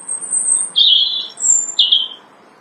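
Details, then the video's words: Robin singing loudly from a branch in early spring, in March; very high, thin drawn-out whistles alternating with slightly lower, slurred notes, four clear notes in quick succession. "Every March, when the bright spring comes, robins sing loudly on the branches of the early spring."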